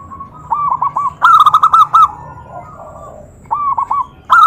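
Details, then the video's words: Zebra dove calling to rouse rival doves into replying, giving short bursts of quick, bubbly rolling coos, one group loud and harsh, others softer, repeated across several seconds. "Suara perkutut Bikin EMOSI perkutut lain naik Suara Langsung Nyaut"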